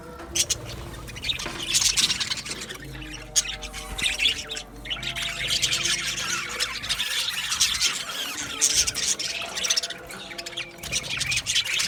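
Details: Many caged budgies in an aviary colony keep up a continuous chorus of squawks, scratchy warbles and high tweets, rising and falling in loudness with a few brief pauses.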